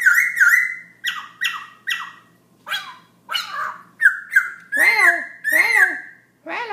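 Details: Night song of a black-throated laughingthrush at 11pm, singing nonstop: short bright whistled phrases repeated about every half second, mixed with harsher, buzzy, falling notes toward the end.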